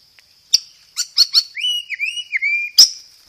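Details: Loud, clear white-rumped shama song used as a lure, carrying 'gereja tarung' sparrow-style fill and 'roll tembak' material: sharp clicks, then a chain of slurred, falling-rising whistles, ending in a loud snap.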